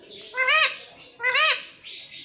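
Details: Indian ringneck parakeet talking, mimicking the words "mummy" and "papa": two loud, nasal syllables about a second apart, each bending up then down, with quieter hissy noise between them.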